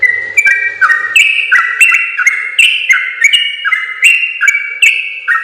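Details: Yellow-vented bulbul in long continuous song, kept as a training recording for other bulbuls: overlapping clear whistled notes that step up and down in a repeating stair-like phrase, with a faint low buzz beneath.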